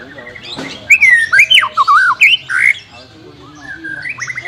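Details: White-rumped shama song for training a bird that will not sing: a short, loud sequence of clear slurred whistles, rising and falling, followed by softer twittering notes.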